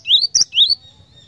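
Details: Cinereous tit, known locally as glatik batu, singing actively: two loud rising whistled notes sliding upward, separated by a sharp high click, then fading into quiet.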